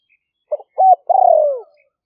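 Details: Spotted dove decoy bird of the liu fueang song style, recorded live for trapping in rainy-season paddy fields of Roi Et province, Thailand. Two short soft notes lead into a long, loud coo that slides downward, against a quiet background.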